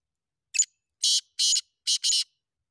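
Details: Kala teetar, the black francolin, Sindhi king type, calling: one thin introductory note and four harsh grating phrases within two seconds, the closing two almost merged; quiet background.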